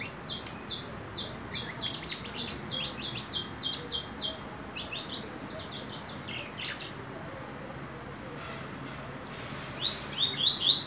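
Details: Juvenile saffron finch of four months, about to moult, singing in quick bursts of high, descending chirps, dense at first, then sparse and quieter before a final flurry of bright notes.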